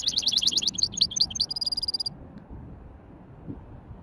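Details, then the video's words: Hybrid finch in a light warm-up of widani-style singing: fast repeated chirping notes, then a sustained metallic buzzing trill that stops abruptly after about two seconds, followed by quiet low background noise. "توليعة خفيفة تغريد ويداني لهجين"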